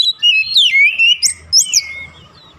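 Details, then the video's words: Oriental magpie-robin song played to provoke other magpie-robins: a few falling slurred whistles and two high squeaky notes, trailing off into quiet. "TERBUKTI PANCINGAN AMPUH KACER APAPUN DIJAMIN LANGSUNG NGOTOT KONSLET"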